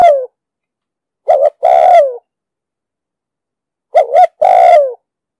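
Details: Spotted dove coos in the 'đồng sấm' voice, used to train decoy birds and attract birds for trapping; a falling coo tail, then two full phrases of a quick double note and a sustained, descending hollow coo.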